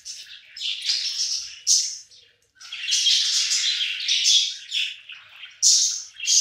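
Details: Several hungry budgies crowd around food together, filling the air with busy, high, raspy chattering and squawky chirps in overlapping waves, broken by one brief lull.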